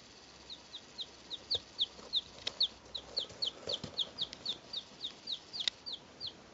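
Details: Three two-day-old chicks, recorded in 2012, peep continuously: thin, high, downward-sliding notes repeated more than once a second in a steady stream, with faint rustling and a few soft knocks.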